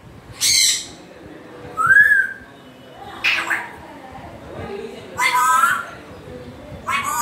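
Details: Harsh squawks from an African grey parrot, broken by a short rising-and-falling whistled note, with further rough calls spaced a second or two apart.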